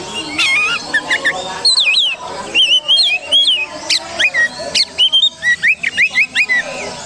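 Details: Oriental magpie-robin, a contest-hobby bird in Indonesia, singing in a lure recording for other birds: varied sweet whistles, sharp upward and downward slurs and quick repeated notes in a lively, constantly changing stream.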